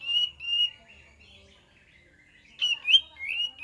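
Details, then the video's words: Kapas tembak song used as a lure: clear whistled phrases with a rising then level tone, a first burst, a pause of almost two seconds, then a brighter trilled group of notes. "PANCINGAN KAPAS TEMBAK DIJAMIN NYAUT"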